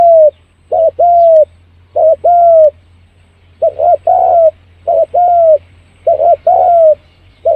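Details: Spotted dove used as a lure to attract birds quickly, cooing steadily in low, mellow phrases: a clipped double note and then a longer falling coo, repeated about every one and a half seconds without pause.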